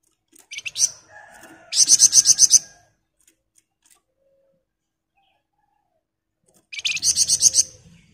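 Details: Continuously singing Sunda bush warbler gives two bursts of fast, high, shrill notes, each about eight notes long, separated by roughly four seconds of quiet.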